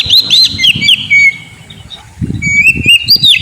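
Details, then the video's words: Oriental magpie-robin (kacer), a cage bird, singing a lure song for a sulking bird: arched whistled notes and a sliding whistle, then a short pause, then rising whistles over a low background rumble. "Pancingan burung Kacer; yang lagi ngambek bunyi"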